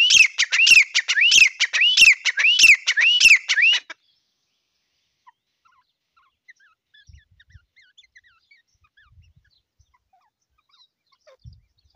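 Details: Grey francolin delivering about four seconds of loud, rhythmic rising whistles punctuated by clicks. Near silence follows, with only faint scattered ticks.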